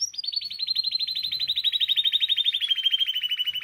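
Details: Song of a Spanish timbrado canary for song learning: one unbroken, rapid rolling trill of metallic pulses that drifts slowly lower in pitch over several seconds.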